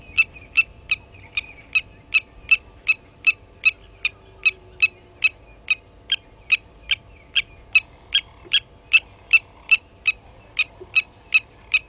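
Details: Long unbroken run of about thirty metallic clinks, steady and evenly paced, from blacksmith lapwings at Gowrie dam, Sabi Sand Wildtuin, South Africa, 29 August 2020, when an adult grabbed and killed a chick.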